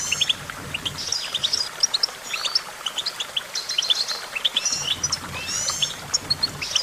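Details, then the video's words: Goldfinch in lively song, an unbroken jumble of bright twittering notes, short buzzes and high slurred whistles, several phrases overlapping, over soft low background hum. "Vocal virtuoso: activating enhancing your goldfinch songbird prowess"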